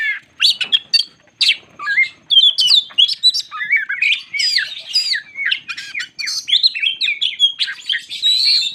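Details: White-crowned shama singing to stir up other shamas: a busy, varied stream of sharp chirps, rising and falling whistled slurs and squawky notes, delivered almost without pause throughout, high-pitched and energetic.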